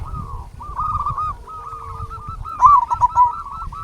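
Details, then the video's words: Local zebra doves sing in a recording meant as a lure and master song for lazy doves. Dense rows of low rounded coos repeat steadily, and a louder trilling coo phrase enters toward the end. "Perkutut Lokal Gacor RAJA PIKAT Ahlinya Bikin Semua Burung Perkutut Gacor Nyaut"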